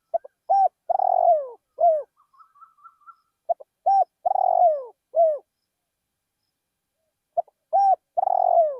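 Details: Spotted dove used as a decoy in a rice paddy, cooing in repeated phrases: short notes leading into a long vibrating coo and a falling tail; a faint high chirping run between phrases.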